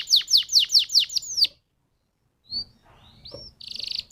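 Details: {'caption': 'Canary singing as a lure recording meant to make other canaries sing: six quick repeated downward-sweeping notes, a pause, then a short slur and a dry buzzy trill.'}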